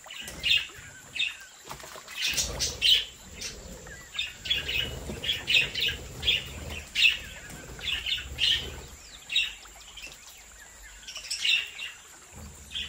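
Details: Budgerigars in a captive breeding aviary. Continuous chatter of harsh squawks and chirps overlaps almost without pause across the clip, suggesting several birds calling at once, with some wing flutter mixed in.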